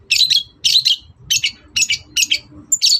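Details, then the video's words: Long-tailed shrike in full morning song, used to provoke other birds into answering: short harsh chattering bursts repeated about twice a second, over a low background rumble. "SENSASI CENDET GACOR PAGI HARI BIKIN BURUNG APAPUN EMOSI NYAUT BUNYI"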